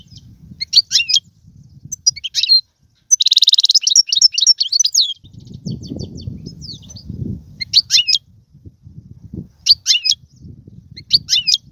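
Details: European goldfinch twittering, meant to spur a pet goldfinch into song: short bright bursts of liquid chirps separated by gaps, one longer rattling trill near the start, and low background rumble throughout.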